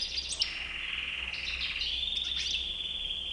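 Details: European goldfinch, white-bearded (bouc blanc), opens with a sharp chirp, then holds a long, even, buzzy trill with soft twittered notes layered on top.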